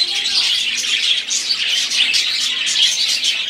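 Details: Several budgerigars chatter and warble at once, a buzzy, scratchy stream of quick chirps punctuated by short clear whistled notes.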